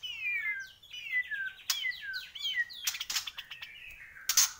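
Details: White-rumped shama from Borneo in lively song: a series of clear whistles, each sliding downward and repeated in quick succession, followed by sharp clicks and a higher chattering phrase.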